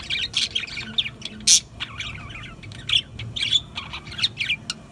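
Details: Budgerigars calling over one another, a chain of buzzy chirps, warbles and one prominent loud squawk.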